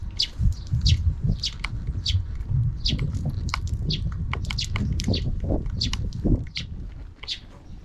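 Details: Busy afternoon chirping from sparrows off-camera, many quick high notes in rapid succession over a loud, constant low rumble.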